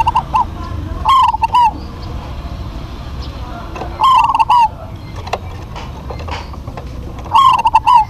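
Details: Zebra dove duet from local birds in full voice. Three short phrases of rolling, bubbling coos come about three seconds apart, each ending in a falling note, over a steady low rumble and scattered clicks.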